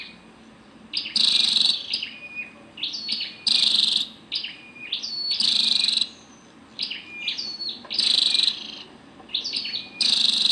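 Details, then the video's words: Female scarlet-backed flowerpecker giving sharp, high chips and short buzzy bursts in irregular clusters, some notes with quick rising flicks, about every one to two seconds, against quiet background. "Tiếng chim sâu đầu đỏ mái"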